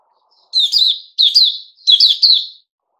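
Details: Kept bulbul of the Puteh Raja type, given fruit juice, a mealworm and a health drink, dated 08-05-2021: three loud, quick warbled phrases, each a pair of bright, bubbly notes rising and falling, in a quiet setting.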